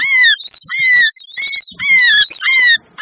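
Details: Sogon (sogok ontong) lure call, a noisy recording meant to attract hard-to-lure birds: several high chattering bursts with a clear downslurred whistle beneath, repeating roughly once a second, separated by short gaps.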